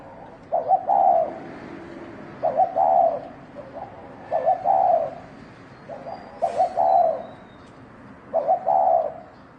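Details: Spotted dove making a 'thổ đồng' fighting call to stir males: five rolling coo phrases spaced about two seconds apart, each starting with short clipped notes, plus faint softer coos and a brief high chirp.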